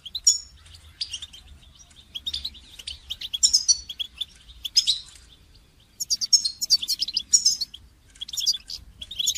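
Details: Goldfinch song for training songbirds: repeated bursts of bright, high twittering and buzzy trills, an unbroken jangling stretch in the middle, and a denser chorus of notes toward the end.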